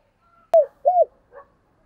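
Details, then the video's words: Spotted dove used as a decoy, calling to draw in wild doves, 2022: a sharp click, then a brief arched coo and a longer rounded coo, with a faint trailing note. "cu gáy mồi cây gáy gọi giọng chuẩn"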